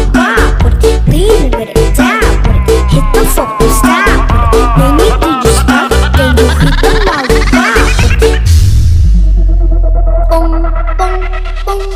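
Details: Loud rhythmic music with a strong bass beat and layered melodic lines plays throughout, with no animal sound audible.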